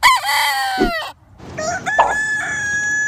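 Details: Roosters crowing close by, one harmonic crow falling at its end, brief gap, then another long steady crow with a held flat note, mild background hiss throughout.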